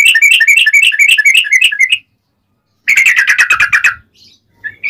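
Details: Yellow-vented bulbul singing an extended ropel panjang, a rapid series used to lure bulbuls into singing. A dense two-second run of bubbly, warbling notes, a brief silence, then a second fast burst of about a dozen notes.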